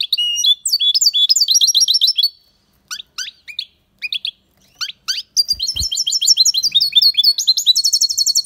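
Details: Goldfinch in loud song: long streams of fast, tinkling high notes break into sparse separate chirps, then resume as a dense rippling twitter.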